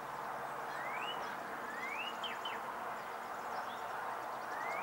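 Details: Male Northern Cardinal singing in Onslow County, North Carolina, on 4 April 2015: a few clear, rising slurred whistles spaced through a steady background hiss, with faint high twitters from other birds, including calling Blue-gray Gnatcatcher and Chipping Sparrow.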